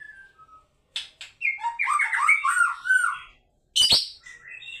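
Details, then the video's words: Varied white-rumped shama song mixing harsh squawky notes, rapid warbled chatter and a loud broadband burst near the end, with softer whistles trailing off. "maculnya Mantep"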